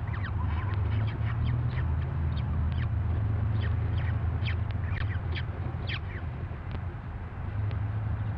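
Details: Three young peregrine falcon chicks give rapid, thin, scratchy begging calls over a steady low rumble while their mother feeds them; Red Deer, 8 June 2012.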